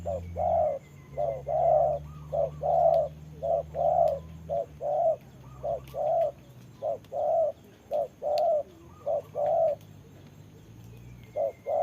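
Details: Spotted dove decoy in a bird trap, calling back at a wild bird in rainy conditions; long run of low coos in short-long pairs, evenly paced, with a faint drone underneath.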